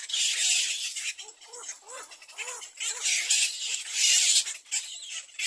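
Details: Little egret chicks in the nest beg their mother for food with loud, harsh, hissing bursts mixed with short, rising-and-falling nasal notes, in uneven waves.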